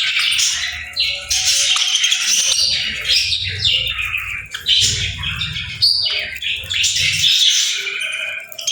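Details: Lively chorus of chirping birds: overlapping high chattering, sharp squeaks and rapid warbled phrases that rise and fall without stopping, with a soft low background hum.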